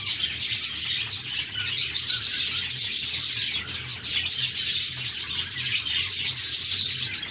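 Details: Cheerful budgerigars twitter and warble in a busy overlapping chorus, bright squeaky notes and brief whistles repeating rapidly throughout, with a faint low drone.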